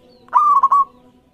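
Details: Local zebra dove song used as a lure to get other doves singing: one loud, rich cooing phrase, a long mellow note followed by two quick rolling notes, about half a second long, with a faint steady hum behind.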